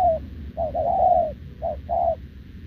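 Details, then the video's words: Wild-caught short-legged spotted dove cooing continuously with a decoy bird, recorded 6 November 2024; a short coo, then a longer hoarse rolling coo, then two more short coos, low and mellow over a steady low hum. "gù liền với mồi Đồng TT"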